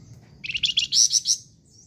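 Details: Energetic song of a flamboyan bird: a fast series of high chirps that swells into louder, piercing buzzy notes, all within about one second over quiet background hum.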